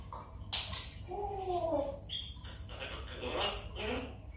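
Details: A pet African grey parrot, one and a half years old, doing its morning talk: speech-like chattering phrases, a falling voiced phrase, sharp clicks and a brief high whistle; a human voice may also be mixed in.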